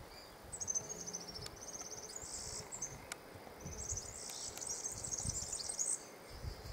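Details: Male European serin song: long, fast, shimmering high jingles, almost insect-like and buzzy, in two extended bursts over an outdoor noise bed.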